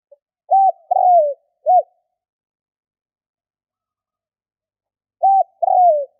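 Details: Spotted dove giving its coo phrase twice: a short note, a longer descending coo, then another short note, a long pause, and the short note and falling coo again. Clean recording with no background sounds.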